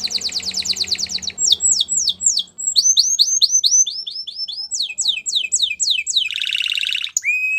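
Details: Training song of a Belgian canary: a rapid trill gives way to series of sharp downslurred whistles, then a dense buzzing roll and a final steady whistled note, with faint low hum early on.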